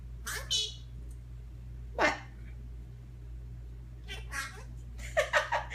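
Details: A 22-year-old pet Senegal parrot talking at home: four separate bursts of harsh, speech-like syllables with rising and falling harmonic sweeps, the last burst a quick run of three, over a steady low electrical hum.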